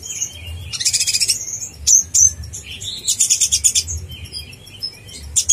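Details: Konin blorok singing in energetic form, offered as a master track to train contest birds and stir other konin: dense high-pitched chirping bursts and rapid twittered trills, several bright tinny notes, steady low hum underneath.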